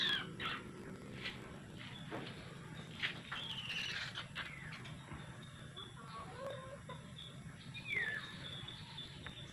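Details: Black-naped oriole (Oriolus chinensis, kilyawan) that came to a house in Bicol, giving scattered short, harsh and fluty notes with one descending slurred call near the end, over a steady low hum and thin high tones.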